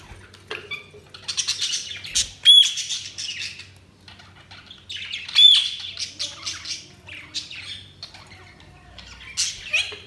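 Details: Budgie chatter with buzzy warbles, short clear whistled pips around two and five seconds, and intermittent scratchy bursts, quiet gaps between.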